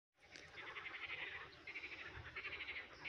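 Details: Eurasian coots calling: a dense, continuous chatter of harsh, nasal, rapidly pulsed notes, several birds overlapping in a steady throbbing stream with brief breaks.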